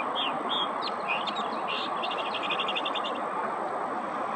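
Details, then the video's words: Northern Mockingbird mimicking other birds: a few clear borrowed whistles, then a fast, even trill of repeated notes, over a steady broad rush of background noise. "Northern Mockingbird mimicking other birds sounds"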